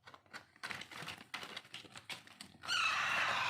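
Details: Pet Alexandrine parakeet chicks (raw or pahadi parrot) at hand-feeding time: rapid ticking and rustling clicks give way to a loud, sustained, buzzy begging squawk that runs to the end.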